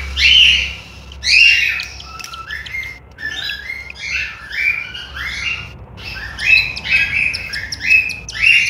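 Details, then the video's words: Nestling cockatiels in Juazeiro do Norte, Ceará, Brazil: harsh, scratchy rising calls in irregular clusters, some pauses between bursts, faint low hum beneath. "FILHOTES DE CALOPSITA"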